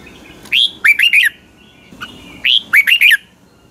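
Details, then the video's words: Caged Red-whiskered Bulbul of the Pa La-u line from Thailand singing in the 'phleng boen' (doubled song) style. Two loud phrases open with a high rising whistle, then three slurred notes follow in quick succession, with quiet gaps between phrases. "นกหัวจุก, เสียงนกกรงหัวจุก นกป่าละอู เพลงเบิ้ล2 เพลงเบิ้ล3"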